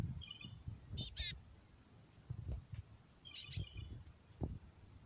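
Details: Black-capped chickadee, fluffy and raspy, gives two short bursts of high, buzzy call notes about two seconds apart, over low rumbling wind or handling noise.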